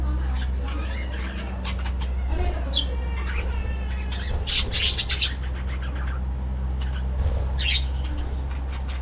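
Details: Breeding budgerigar colony in an aviary at morning activity; warbled notes and chattering squawks come in bursts, with louder scratchy calls midway, over a heavy steady low hum.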